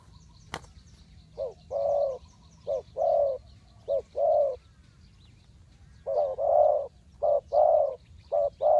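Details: Spotted dove cooing as a decoy to lure wild birds into a trap: low, hollow two- and three-note coo phrases, short notes followed by a longer drawn coo, repeated in bursts, with a sharp click near the start.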